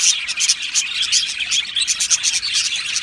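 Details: Aviary of Australian budgies singing and chirping: rapid, bright high-pitched twitters and tiny whistled pips pulse quickly over a constant hiss of overlapping bird voices.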